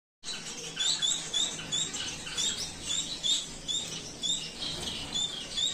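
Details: A lutino Gouldian finch pair in an aviary during a courtship dance; soft high chirping notes repeated in quick, irregular series, with faint rustling below.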